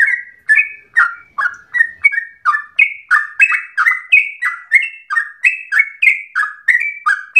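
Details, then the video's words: Yellow-vented bulbul singing energetically in a long rapid run that sounds like a straw-headed bulbul: mellow whistled notes sliding downward, with higher notes later in the phrase, repeated steadily for seven seconds in quiet surroundings. "Trucukan gacor ropel panjang narung suara berasa cucak Rowo"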